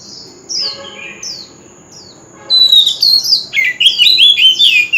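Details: A few soft, spaced falling whistles open the passage. Then an Oriental magpie-robin bursts into loud, fast, jumbled whistled song, used as a lure for singing contests and sung in its wild voice.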